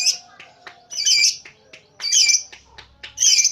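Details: A lovebird in a brief ngekek: loud rasping bursts spaced about a second apart, each a dense scratchy chatter, with soft clicks and faint squeaks in the pauses.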